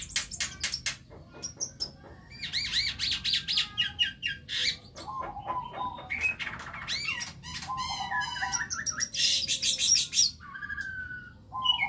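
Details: Learning young white-eyed Javan myna singing vigorously: a long, varied stream of rapid clicks, rising whistled chirps, harsh rasps and squeaky fragments, almost without pause.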